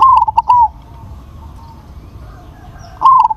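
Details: Zebra dove of crossed stock with a big voice: a stuttering run of short coos ending in a held note, then a fresh phrase starting after a quiet gap of over two seconds.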